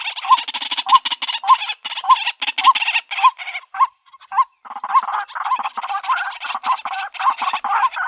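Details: Female white-breasted waterhen calling for a mate, giving rapid repeated harsh honks almost twice per second, overlaid with denser, raspier chattering in the first half and again after a short gap near four seconds.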